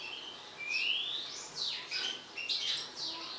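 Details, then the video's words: Song of an agitated mutant European goldfinch, softer and more distant: a long upward-sliding whistle followed by quick liquid chirps and twittering notes in short bursts. "حسون طفرة هائج"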